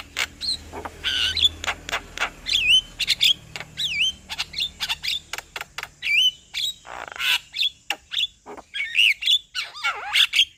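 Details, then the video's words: Male Javan myna whose song provokes a quiet myna into singing; a dense run of sharp clicks, bent whistles and harsh rasps follows in rapid rhythm, with faint low hum underneath. "Kicauan Jalak Kebo Jantan Bikin Jalak Kebo Malas Bunyi Jadi Emosi"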